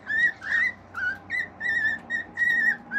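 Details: Whistled song of a male cockatiel kept as a pet indoors: a steady string of clear, mid-pitched notes, each brief and slightly rising or falling, roughly three per second with little pause between them.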